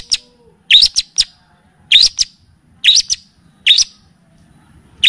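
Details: Long-tailed shrike (cendet, pentet) on a song-training and lure track that also features kapas tembak and cililin; sharp high rising chirps in pairs and triplets, about one burst per second, with a faint low hum beneath.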